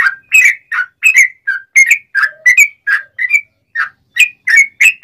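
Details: Sooty-headed bulbul singing ngobra song, described as sharp, clear and rapid, used as a tutor and a lure for wild birds; a lively string of bright whistled phrases, some warbled, with a brief pause near the end.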